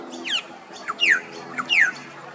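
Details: Male Australasian figbird singing loudly in Australia (Queensland) on an afternoon: clear, sharply descending whistled notes, two soft short slurs then a louder drawn-out downward whistle, the pattern given twice within about two seconds.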